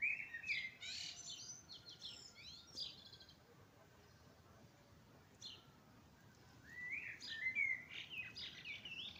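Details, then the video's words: Birds singing at dawn in spring: a dense opening burst of high chirps and trilled phrases, a quieter stretch in the middle, then rising whistled notes and chattering song building again toward the end. "Құстар үнімен көктемде келді. Весна пришла под пение птиц"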